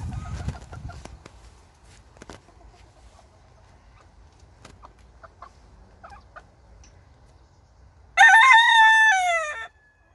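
A Wyandotte rooster gives one loud, brassy crow lasting about a second and a half, its last note sliding downward, after a long quiet stretch with faint knocks.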